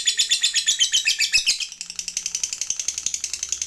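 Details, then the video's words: Fighter lovebird in ngekek, the long trill, used as a prompt to make other lovebirds trill. Rapid pulsed chattering at about four notes per second slides slightly lower, then continues as an even, quick rattle. "Suara Burung Lovebird ini PINTAR Sekali Bikin Labet Cepat Ngekek"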